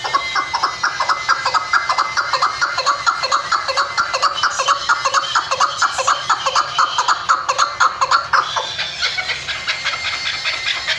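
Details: Female chukar partridge calling: a fast, steady series of clucking chuk notes, roughly two per second, running on for about eight seconds before trailing into softer, scattered notes.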